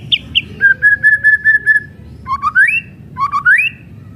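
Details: A white-rumped shama sings kretekan, used as a lure to make other shamas sing: two high notes, a run of steady level whistles, then two sweeping rising whistled phrases.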